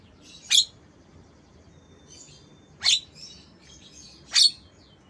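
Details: Black-winged myna imitating lovebird sounds: three sharp, harsh, high-pitched chirps spaced about two seconds apart, with faint thin twittering between them over a quiet background.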